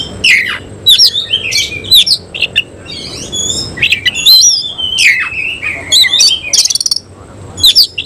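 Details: Displaying oriental magpie-robin of the semi-cililin kind, tail spread, pours out a busy song. Sharp ticks, bright whistled slurs and short raspy trills follow one another closely, with a quick rattling series near the end.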